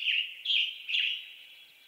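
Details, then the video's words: Western tanager song: three hoarse, burry, robin-like phrases about half a second apart, the last one trailing off softly. No other sounds are heard. "Western Tanager Bird Song"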